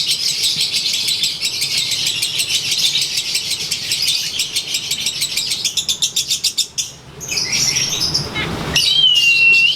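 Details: Lovebird out in the sun during its daily ngekek session. Several seconds of fast, rattling high chatter break off into scattered squeaks, then a clear, level whistle sounds at the end.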